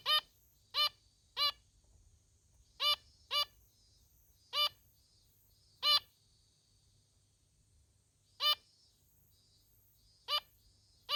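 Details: A female zebra finch gives short nasal "meh"/"meh!" meeps nonstop, one every second or two.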